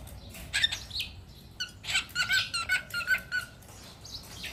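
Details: Pet cockatiel calling indoors in a small room: a run of harsh, squawky chirps and short bursts, rapid and uneven, with a steady thin tone underneath in the middle stretch.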